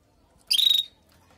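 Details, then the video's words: A female canary gives a call meant to ready and excite the male canary after the moult: one short, strident, rapidly throbbing chirp lasting under half a second, high-pitched and buzzy, on a quiet background. "نداء انثى الكناري لتجهيز وتحفيز ذكر الكناري بعد غيار الريش"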